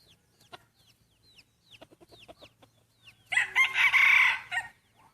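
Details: Main breeding rooster crowing at a first contest: a loud, rasping crow of over a second bursts out near the end, preceded by soft, repeated high chirps from small birds.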